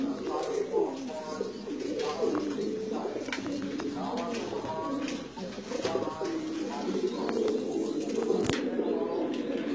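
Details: Shiraji kobutor (Lahore pigeon) cooing in a series of soft, low, throaty rolling phrases with short pauses, above a constant hum.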